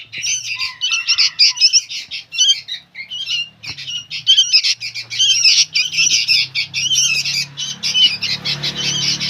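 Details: Young sooty-headed bulbuls call noisily, with rough, rasping chatter and squeaky notes in quick overlapping bursts that continue throughout over a low background hum.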